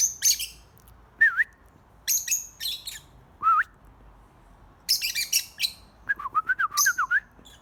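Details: Birds make noise with bursts of high, scratchy chirps broken by short whistled notes. Each whistle dips and rises. A run of quick wavering whistles comes near the end.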